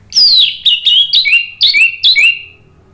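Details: Orange-headed thrush (anis merah) singing in loud, open 'ngeplong gacor' style, played as a lure to coax a silent bird into answering: five quick whistled phrases, each sliding downward, over a quiet background.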